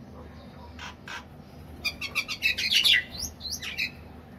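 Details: Several mynas in the evening give a rapid jumble of harsh chirps and squawky whistles, bursts packed several per second, over a low steady hum of dripping water.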